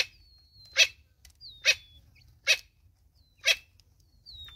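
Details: Natal spurfowl mother accompanied by chicks in South Africa, giving four rasping bursts roughly a second apart, each preceded by a thin, high, gently falling whistle.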